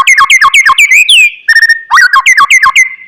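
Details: White-rumped shama song meant to make a sluggish, silent bird respond: loud rapid runs of looping whistled notes, a brief buzzy trill, then another fast whistled phrase.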